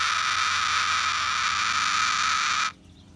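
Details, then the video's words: Captive rescued cockatoo, relaxing, with heavily plucked feathers, gives one long, steady, harsh hissing sound with a faint tonal line, held for about two and a half seconds before stopping abruptly into quiet. "Cockatoo makes interesting sound while relaxing"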